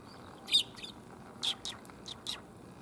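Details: Sparrows arriving to be fed, 1 January 2022, on a walk home: four bright, clipped high chirps spaced irregularly over about two seconds, with a quiet background.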